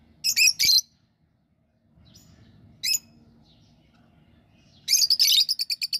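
Budgerigar giving harsh, scratchy chirps in short bursts, ending in a quick run of repeated notes.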